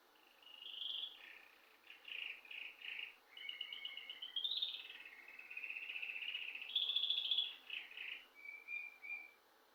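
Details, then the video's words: Birdsong heard at home: a soft, varied string of short whistled and trilled phrases at mid-high pitch, rising and falling, with brief pauses between notes and a final pair of quick chirps. "To the sound of birds"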